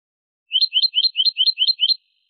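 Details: European goldfinch song, clean recording: a single quick run of seven identical bright twittering notes, evenly spaced and lasting about one and a half seconds, with nothing else heard.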